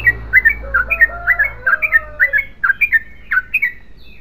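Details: Yellow-vented bulbul phrase of varied liquid chirps, some rising, some falling, irregularly spaced, while a soft low tonal whistle drifts beneath the first half.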